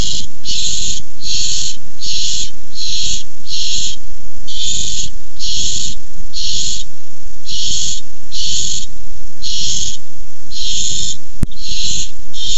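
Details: Barn owls contesting a tiny mouse on a nest camera, 6-4-15: some fourteen evenly spaced hissing screeches, roughly one each second, over a low, rumbling background.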